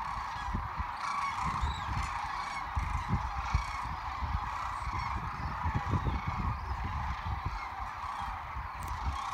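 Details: Migrating sandhill cranes on the Platte River, Nebraska, in March 2017: a dense chorus of many rolling, overlapping calls from a large flock, steady throughout, over a low rumble of wind.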